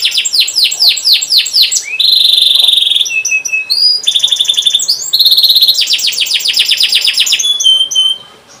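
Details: Long canary song played to coax young or silent canaries into singing: varied tours of quick downward chirps, a steady ringing held note, rapid rolls and upslurred trills in succession, fading after about eight seconds.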